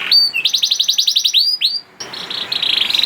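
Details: Juvenile canary song to get other canaries singing: a rising note then a fast pulsing trill of repeated syllables, two arched whistles, a brief break, and a high buzzy rattling trill.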